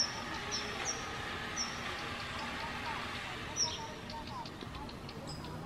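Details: Daurian redstart, the first seen this season, on 22 October 2022 in Japan, spotted from a balcony in front of a house: thin, high whistled notes given singly at irregular intervals over a steady low background rumble.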